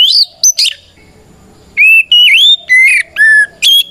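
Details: White-rumped shama singing to challenge rivals; a few harsh high notes, a pause, then a series of loud, clear whistled notes, some dipping and rising.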